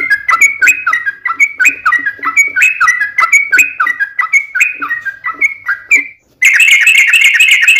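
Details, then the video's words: Rapid chatty song of a sooty-headed bulbul, used as a lure: quick bubbly whistled notes for about six seconds, ending in a held whistle, then cut by a loud harsh burst of sound. "SUARA trucukan gacor TARUNG ROPEL PANJANG pancingan trucukan agar bunyi"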